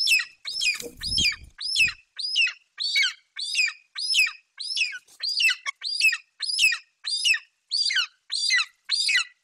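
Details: An excited golden eagle chick in Bucovina, 28 July 2021, screams as its mother brings a Eurasian magpie in her talons. A long, regular run of shrill, falling, rasping cries, nearly two each second, with a brief low thump near the start.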